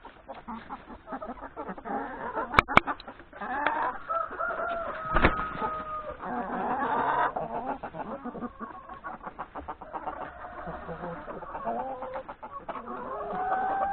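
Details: Hens and three roosters breakfasting in the yard ahead of forest grazing; continuous flock clucking with long drawn calls, a few sharp knocks, and a rising drawn cry toward the end.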